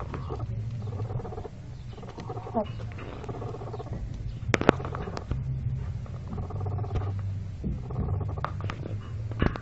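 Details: Red hen laying an egg in her nest, recorded in 2014: low, stacked clucking phrases in bursts of about a second, separated by pauses, with occasional sharp clicks and background rustling.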